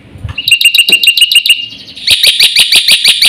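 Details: Black-winged starling singing at speed: a quick series of ringing metallic pips near three per second-half, then a harsher, buzzier repeated chatter with no pause.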